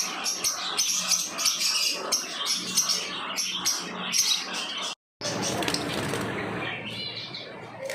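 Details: Lovebirds chirping in a steady stream of shrill, rapid squeaky notes, broken by a brief silent cut near five seconds, then resuming as harsher, noisier chatter mixed with rustling.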